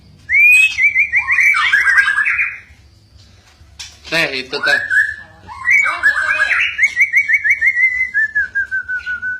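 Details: Lively, chatty white-rumped shama singing in a contest with its owner: rich trilled whistle phrases, a brief burst of voice or rustle midway, then more warbling ending in a falling whistled trill.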